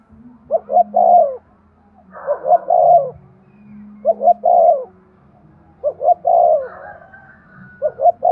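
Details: Spotted dove coos meant to stimulate breeding: low, mellow three-part phrases, two quick notes then a drawn-out coo, repeated about every two seconds, four to five phrases in a row over faint background hum.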